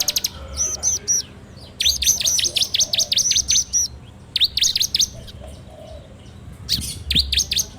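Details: Bar-winged prinia singing a 'ngebrem' lure song, Android phone recording: alternating short bursts of high looping notes and a longer rattling series, all sharp and high-pitched, with small pauses between.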